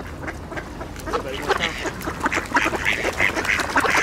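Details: Mallard ducks at an ice hole in winter go wild over spread bird seed, feeding alongside Eurasian coots and swans; a busy mix of short, harsh quacks, growing louder toward the end, with higher squeaky calls and water noise.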